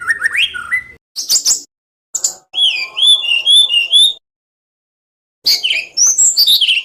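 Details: White-rumped shama song to stimulate other shamas: short bursts of high warbled whistles and sweeping notes separated by brief silences.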